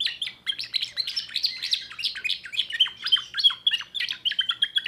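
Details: Timbrado canary, a 2024 youngster with a new repertoire, singing continuous fast warbling: tight, metallic chirps and rolling trills with no pauses.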